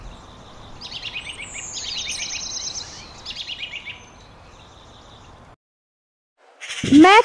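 A robin sings short bursts of high, twittering notes over steady hiss, followed by a pause and a sudden loud rising sweep.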